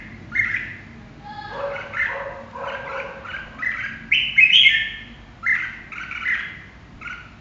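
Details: Red-whiskered bulbul chattering in quick successive phrases, mellow lower notes building into a loud, high whistled flourish midway, then spaced bright double notes to the close.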